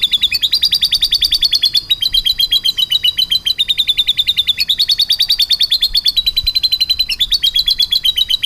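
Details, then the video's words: Canary with lovebird-style material in its song, rolling continuously: long runs of rapid, buzzy high trilled notes, changing pitch slightly every second or so without a break. "kenari full materi love bird"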